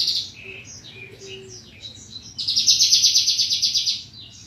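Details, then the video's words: Bushlark song for training caged birds: scattered high chirps and short slurred notes, then a sustained, loud, rapidly pulsing high trill of about a second and a half. "Kumpulan masteran burung branjangan terbaru tahun 2022"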